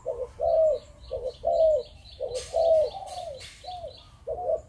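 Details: Spotted dove of Malaysian breeding stock giving rhythmic 'Chụp Chụp Ô' coos, short-long pairs of low hoarse notes, while a small bird's high chirps repeat in the background and a brief clatter sounds.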